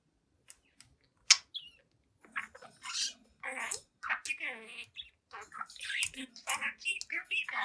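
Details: Young pet budgerigar, seven months old, chatting in front of a mirror indoors: scattered short chirps, then dense warbling chatter with buzzy, noisy bursts and fast up-down notes filling the second half.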